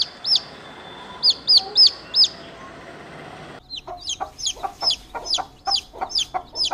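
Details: Chick giving sharp, high, falling peeps in short bursts over a steady background hiss. The peeps become quicker and more insistent in the second half.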